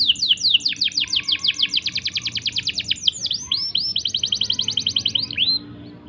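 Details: Canary long rolling chirp song meant as a tutor or trigger for canaries: rapid high sweeping notes in continuous rolls, shifting to a faster, denser trill halfway, then ending with a few longer slurred notes.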